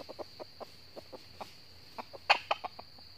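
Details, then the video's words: Red junglefowl of northern Vietnam at a trap with a decoy: evenly spaced clipped clucks, growing louder and more clustered toward the end, set against a shrill steady insect hum. "bẫy gà rừng miền bắc bổi về gáy đấu cực gắt"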